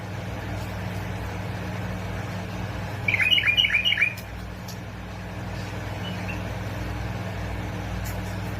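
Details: Bulbul from Basra and Fao, recorded to prompt other bulbuls to sing: one quick burst of about six bright, bubbly notes midway through, over a constant low electrical hum.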